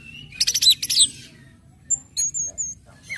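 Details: Orange-headed thrush singing to stimulate other birds into song: a quick cluster of sharp, very high chirps and trills, a silent gap, then thin high whistled notes and a short rising note at the end.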